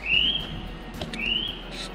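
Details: A North Island robin calling from trees in Zealandia, a predator-fenced ecosanctuary in New Zealand, gives two clear, thin, slightly rising high whistled notes about a second apart, over soft background noise.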